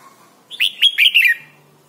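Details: Red-whiskered bulbul from Thailand, a recording used to train young birds to sing: a single brisk phrase of four or five bright, slurred whistled notes, slightly falling at the end, over quiet background.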